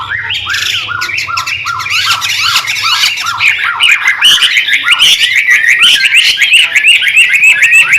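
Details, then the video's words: White-rumped shama song intended to lure and train other birds: a steady string of repeated arched notes, then a faster, denser burst of mixed whistles and chattering phrases. "Suara burung murai batu ribut andalan!!MASTERAN!!ISIAN!!PIKAT hati burung MB anti Galfok"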